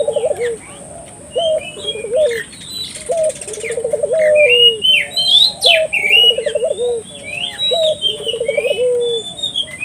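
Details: Spotted dove cooing to lure local doves into calling: repeated low hoarse phrases, each a short note, a quick wavering tremolo and a drawn-out falling coo, over busy high chirps from other small birds.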